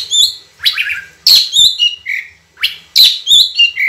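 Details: Oriental magpie-robin, constant natural song with long clear bursts for training other birds: loud ringing whistles, a rising slur, then stepped falling notes, the same phrase repeated after a short pause.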